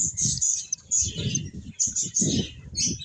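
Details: Several finches give quick, high chirps in short clusters with brief pauses between them, over soft low thumps and rustles.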